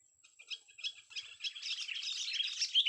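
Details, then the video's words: Young sooty-headed bulbul singing: soft separate chirps, then a dense, rapid run of high twittering, warbling notes that grows louder toward the end. "kutilang muda tes VOKAL kicau"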